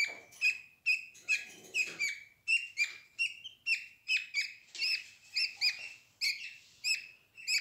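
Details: Budgerigar chicks, eyes open and feathers growing, cuddling with siblings and mother inside a nest box: rapid run of high, scratchy chirps and squeaks, some doubled, with brief soft rustling between calls.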